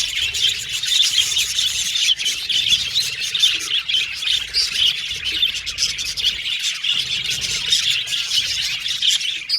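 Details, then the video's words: Several budgerigars chirping and communicating together: a dense, continuous high chatter of overlapping warbles, chirps and squeaks with no pauses, steady in loudness throughout. "Budgies Chirping Sound"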